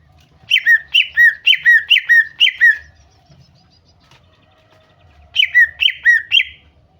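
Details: Female greater green leafbird calls to stir a male into singing. A string of six sharp, downward-sliding doubled notes is followed by a pause and then three more in the same rhythm.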